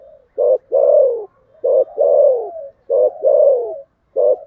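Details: Thổ sấm style fighting coo of a spotted dove. Strong, mellow, low phrases repeat about every 1.2 seconds, each a short clipped hoot followed by a longer, drawn-out coo that slides gently downward.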